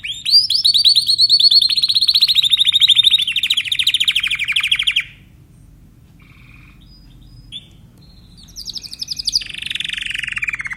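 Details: Timbrado canary song, a long fast rolling trill that slowly falls in pitch for several seconds, a pause with faint notes, then the trill resumes, sliding downward.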